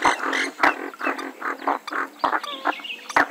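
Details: Harsh, honking notes from a Western swamphen, several broad nasal blasts in a row broken by short pauses, ending with a few thinner wavering tones and sharp clicks.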